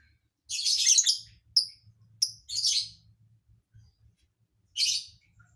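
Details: Lovebird singing an unusual song fill: harsh, buzzy chirped bursts, one long rasping phrase followed by shorter sharp chirps with pauses between, over a faint low hum.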